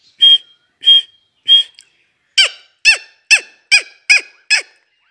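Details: Female partridge (teetar) call, a Sindhi-style recording used for hunting in the jungle: three clear whistled notes, then a quick run of six sharp, descending, ringing calls, about two per second.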